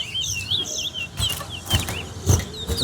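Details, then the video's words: Singing-competition towa-towa, West Coast versus West Bank: a bouncing, looping warble of high whistled notes, then clacking thuds, with a man counting aloud and music behind. "TOWA TOWA BIRD SINGING COMPETITION"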